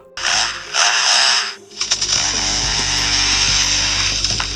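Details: Superb lyrebird (Menura novaehollandiae) of Australia mimics a chainsaw: harsh, buzzing mechanical whines that rev up and cut off in uneven bursts, over soft background music.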